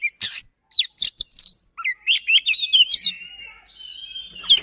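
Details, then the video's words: White-rumped shama in fast, dense rolling song meant to prompt a silent shama to sing: rapid chips and slurred whistles running into a long steady whistle. "Kacer SISINGA, Speed Rapat Durasi Dapat | Roll Tembak dan Ngotot, Pancingan Kacer Macet Bunyi."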